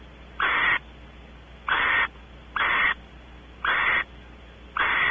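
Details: Barn owls at a nest cavity at Audubon Starr Ranch, California, as the male explores the cavity and the female expects mating: five rasping, hissing screeches, each about a third of a second long, repeated roughly every second over a steady low hum.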